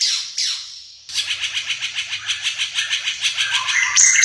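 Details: Ara Mata Merah, an increasingly rare East Nusa Tenggara endemic, gives two high downslurred whistles, pauses, then pours out an even, rapid string of repeated chipping notes about five per second, ending in shrill squeaks.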